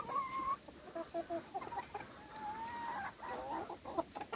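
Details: Hens at feeding time utter a clear, drawn-out whine, then short clucks, then a long smooth note and a burst of wavering calls, with pecking clicks.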